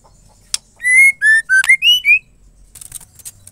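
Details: Female white-rumped shama singing to stimulate males, whose song is used to rouse silent, listless males into singing: a sharp click, then a run of five clear whistled notes with bright overtones, stepping down and back up, ending on a high note.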